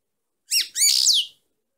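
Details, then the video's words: Female European goldfinch delivering a short song phrase: a few stacked downslurred notes leading into a loud, buzzy, rapidly trilled twitter under half a second long. "chant femelle chardonneret - .Canto femeninas jilguero"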